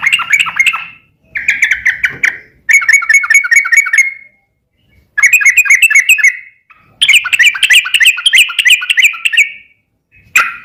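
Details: Yellow-vented bulbul in full, lively song, used to coax another bird into replying: repeated loud bursts of quick gurgling, chattering notes with brief gaps between phrases.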